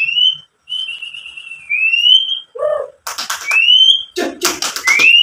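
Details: White-rumped shama song played to make other shamas sing: long clear whistled phrases sliding up, interrupted by harsh noisy bursts and a lower throaty note.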